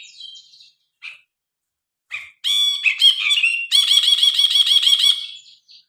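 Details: Grey-cheeked bulbul in energetic, varied song, captured by phone: brief harsh notes, a scratchy rising phrase, then a long rapid rattling trill of repeated buzzy notes that tails off.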